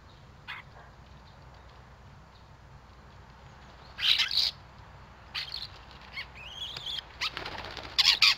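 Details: Common starlings squabbling at a garden feeder in Théding on 14 December 2022. Harsh rasping bursts come in clusters, with a thin rising whistle between them, over a steady background hiss.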